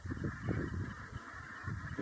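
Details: Brent geese in autumn and winter, a sound said to make winter for the recordist; throaty low honks and gabbling from a flock in quick bursts, a brief lull midway, over a constant high hiss.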